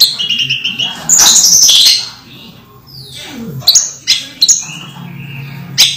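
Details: Caged orange-headed thrush in moult, still singing freely: loud bursts of high, sharp whistled and chattering phrases, a quiet gap in the middle, then scattered bright notes.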